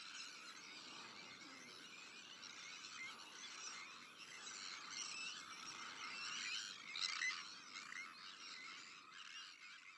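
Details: Crowded Sandwich tern breeding colony with black-headed gulls, arctic and common terns: steady overlapping rasping calls that swell slightly midway, with one louder squeal.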